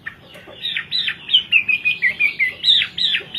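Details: Hwamei song, from a bird imported from China for its melodious voice: a quick series of loud, arched whistles, each one rising then dropping, repeated about three times a second.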